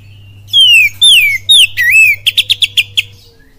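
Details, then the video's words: Oriental magpie-robin in kapas tembak and cililin style, sung as a lure: bright downslurred whistles, one rising-and-falling note, then seven quick, evenly spaced sharp chips, over a faint mechanical hum. "SUARA PANCINGAN KACER FULL KAPAS TEMBAK CILILIN DAHSYAT"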